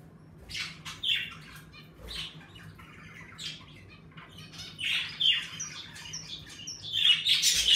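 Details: Indoors in a room of pet budgerigars, rapid overlapping chirps and harsh squawks run almost continuously, growing louder and denser toward the end; the birds are lively as the days grow warmer. A low electrical-sounding hum sits underneath.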